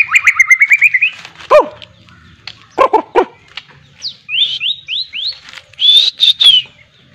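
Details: White-rumped shama (murai batu) being trained, singing with miwah fill material: a rapid rising trill, then separate sharp whistled slurs and a high sustained whistle, with two loud harsh bark-like notes in between.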